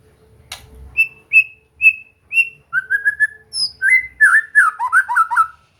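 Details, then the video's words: Relaxed training song of a white-rumped shama so a bird will sing and be gacor; a faint click, then four evenly spaced clear whistles, lower repeated notes, and a fast tumbling warble. "Latihan santai untuk murai batu AGAR MAU BUNYI dan GACOR"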